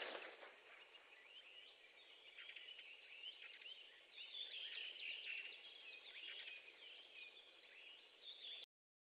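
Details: Osprey at a nest in Estonia on 8 June 2013 at 20:10 in the evening. The male comes and goes with a piece of fish. High, thin whistled chirps repeat through the clip over a steady background hiss.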